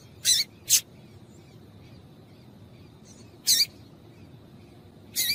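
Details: Female papa-capim (seedeater) calls meant to set males singing: two quick high chips, a pause, then two more separated bursts, bright and buzzy, with quiet steady background.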